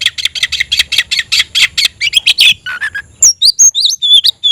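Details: Kept oriental magpie-robin (kacer) in full song to call a rival to fight: a fast train of harsh buzzy rasps, then clear whistled notes sweeping up and down, loud and close.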